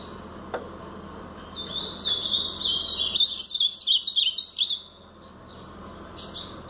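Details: Blue-black grosbeak in brown plumage giving a Paraná-style song. A soft warble starts near two seconds and builds into a quick series of sharp, sliding, chirped notes that ends abruptly before five seconds. A faint click comes early on.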